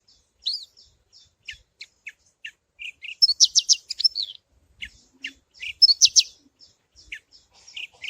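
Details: Javan bush lark of the parva type, a 'suara alasan' base song used to prompt other birds: varied high chirps and short downslurred notes, broken by fast buzzy trills near 3.3 and 6 seconds, in a quiet setting.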